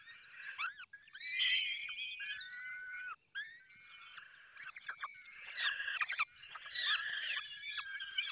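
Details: Falcon nest in the Barycz Valley at feeding: a busy run of harsh screeches, slurred squeals and clicking sounds, with several calls overlapping almost without pause.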